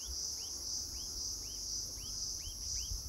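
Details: Himalayan bulbul in Landour giving a run of short, arched chirps, about two a second, over a steady high-pitched insect drone.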